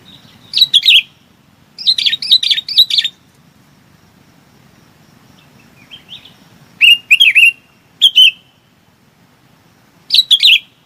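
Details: Flock-gathering calls from a bulbul: clusters of rapid, sweet, wavering notes, then a quiet gap and further short bursts, against a faint steady low background noise.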